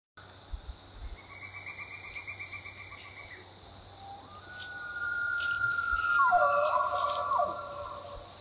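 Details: A pileated woodpecker gives a fast, even run of high notes for about two seconds, then a distant elk's long whistled bugle echoes in the valley, rising, holding and falling.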